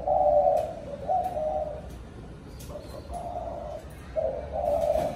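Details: Spotted dove calling its flock in the evening. Low hollow coos run almost without a break, rising and falling in loudness, over a hissy background with scattered clicks and taps.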